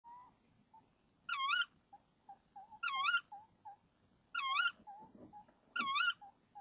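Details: Female tawny owl in a nest box at 05:28 on 26 March 2014, calling before the male arrives with a frog: four loud, wavering, harmonic calls spaced about a second and a half apart, with softer short notes between.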